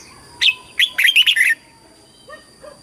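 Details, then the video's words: Red-whiskered bulbul singing in competition style, a short burst of bright warbled notes around one second long, then quiet with faint soft calls in the background. "TIẾNG CHIM CHÀO MÀO HÓT - HÓT ĐẤU - KÍCH BỔI - GỌI BẦY - LUYỆN GIỌNG"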